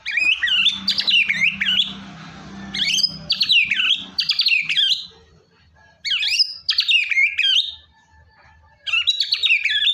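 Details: Vigorous white-rumped shama song meant to trigger a reluctant bird to sing: rich, fast phrases of warbled, looping whistles lasting a second or two, separated by short silences, over a faint low hum.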